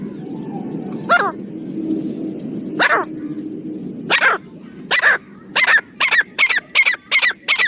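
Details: Jungle black francolin calling for hunters: harsh notes start well spaced, then speed up into a quick run of about eight rasping notes, over steady background noise.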